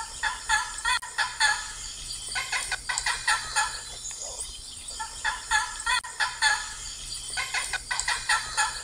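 Blue macaw giving harsh, raucous squawks in quick stuttering bursts, with a short pause between phrases and a faint background hiss.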